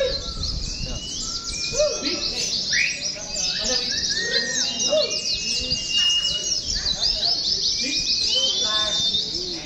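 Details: Many Oriental white-eyes singing in a simulated contest meant for training, a busy, high, ceaseless twitter with scattered rising whistles and lower slurred notes across nearly ten seconds.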